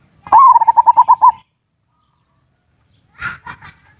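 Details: Zebra dove cooing used as a lure, ngerot and kuwor styles, meant to arouse mating urge and get reluctant birds singing; one quick series of about nine pulsed coos after a sharp upward opening note, then faint rustling knocks.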